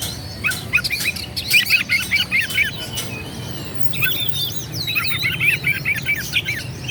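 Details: Oriental magpie-robin (kacer) in full vigorous song meant to provoke rival birds into angry answering: bursts of rapid, varied whistled notes and sharp trills in two dense phrases, separated by a brief quieter gap, with low steady background hum.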